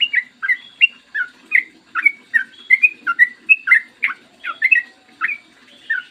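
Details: Morning song of a yellow-vented bulbul, clear and long, used as a lure to trigger singing: a steady stream of bubbly, slurred whistled notes, about three per second, with a quiet low hum underneath.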